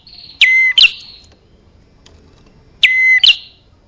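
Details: Two bar-winged prinia lure calls, meant to draw male and female birds: each a sharp falling note held as a clear whistle, then a short rising flick, separated by about two seconds of near silence.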